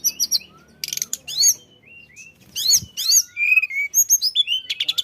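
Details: Energetic tledekan flycatcher song, used as a lure to set other birds singing: sharp high chips, sliding whistles and a few buzzy bursts, with brief pauses between phrases.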